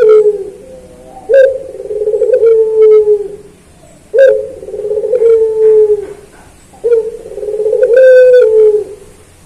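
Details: Puter pelung turtle dove, a training recording for songbirds: three long low coos spaced nearly three seconds apart, each opening with a short accent then a sustained, slightly descending note.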